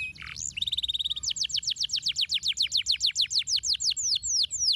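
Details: Canary singing: brief whistled and buzzy opening notes, then a steady trill of clear downward-sweeping notes repeated roughly four times a second to the end.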